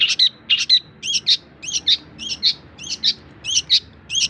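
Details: Long-tailed shrike song used as a tutor recording for teaching other songbirds: paired sharp chirps around the upper-middle range, each pair repeated roughly every half second in a steady run, with a clean, quiet background.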